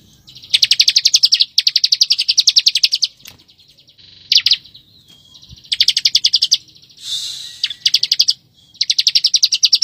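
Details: Bar-winged prinia delivering close, tightly packed ngebren singing meant for tutoring white-rumped shamas. Repeated short bursts of quick, ticking high notes are broken by brief gaps, with one harsher, noisier phrase near the end.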